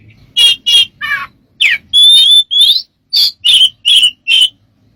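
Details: Bird known for strange sounds, described as smart: harsh buzzy bursts, a falling rasp, then clear whistles and a row of short emphatic chirps, roughly evenly spaced.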